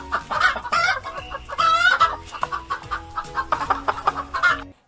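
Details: Hen clucking, a sound rendered in Indonesian as 'petok petok': a run of short, nasal, rhythmic clucks, some drawn out into a rising cackle around the middle, repeated about twice a second.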